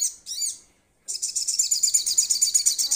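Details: Young trotol-stage sogon sunbird starting to call actively, calling to companions. Two brief high chirps, then a pause, then a fast, dense, high-pitched buzzy trill of rapidly repeated notes about six per second.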